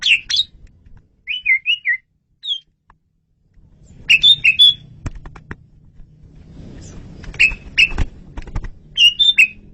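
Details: Asian pied starling song, clear and loud, used for luring birds: repeated short, bright whistled notes in small clusters throughout, some rising and falling, over intermittent low rumbling noise.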